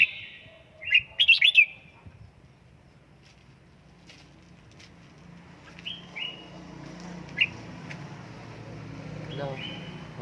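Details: Home-trained red-whiskered bulbul in Gia Lai: a loud jumbled burst of bright warbled notes early on, then scattered short whistles and a single sharp note in quieter surroundings with low hum.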